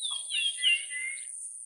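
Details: Short run of clear, slurred whistles from a Japanese grosbeak, bending down and then levelling off, with a steady high hiss running underneath.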